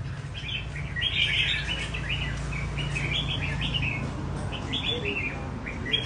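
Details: Tamed red-whiskered bulbul at a bird café in training, running song phrases (chạy cầu) at an easy, leisurely pace: lively warbled chirps repeated without pause over a constant low droning hum.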